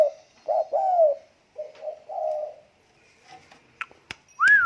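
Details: Tame spotted dove giving low, mellow cooing phrases, each a short note then a longer slurred coo, repeated in two bouts in a quiet indoor setting, followed by faint clicks and a loud high descending whistle at the end.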